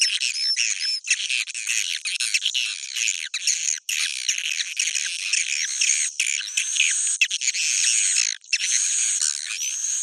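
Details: Dense swiftlet roosting chatter, Bhayangkari style: unbroken shrill, scratchy twittering with harsh squawky notes and a few brief gaps, plus occasional thin whistles early on.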